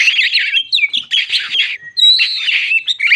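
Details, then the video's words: Loud, dense White-crowned shama song meant to provoke rival shamas: rich warbled phrases, rising and falling whistles and harsh trills running almost without a break. "Burung Kacer jambul lagi teler pancingan Kacer bikin emosi burung bahan"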